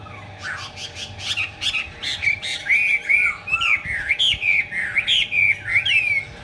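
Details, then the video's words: Song of a Chinese hwamei with fanned wings in eagle-wing display: brisk chips open into a steady sequence of clear, bouncy whistled notes, some swooping down, some climbing, repeated about every half second. "chim họa mi hót xòe, chơi cánh đại bàng"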